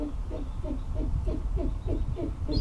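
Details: Non-releasable captive great horned owl, a foster parent to orphaned baby owls at an avian rehabilitation centre, gives a quick run of short, low hooting notes, about three or four each second, over a steady low rumble.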